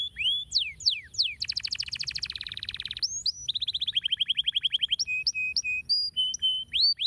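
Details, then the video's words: Canary song used to stimulate other canaries to sing; loud, clean phrases of sweeping whistles, then fast rattling trills, a rolling run of rising notes, and steady repeated whistled tones, varied and rapid. "estimula rapidamente o som de canários preguiçosos cantando"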